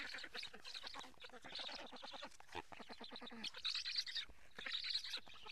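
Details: Black storks feeding at their nest in Karula, Estonia, in July, heard through a live camera: a stuttering run of clipped, nasal, duck-like notes, then louder rasping bursts near the end.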